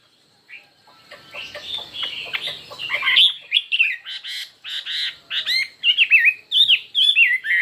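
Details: Chinese hwamei singing in a contest: an opening of scratchy clicks and rattling notes builds into loud, separate whistled phrases and rapid upturned slurs, repeated at a brisk pace.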